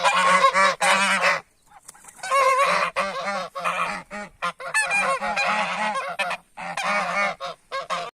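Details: Geese calling as humans approach them: loud, harsh, nasal honks from several overlapping birds, given in rapid bursts with only brief pauses, a dense and continuous clamour.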